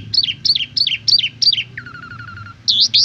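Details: Asian pied starling tutor song, five repeated looping whistled notes, then a low fluttering trill and a bright rising note, over a soft low hum.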